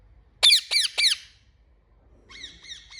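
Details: Parrot giving three loud, sharp, high squawks in quick succession, each a falling screechy note, then after a pause a softer run of three similar repeated notes.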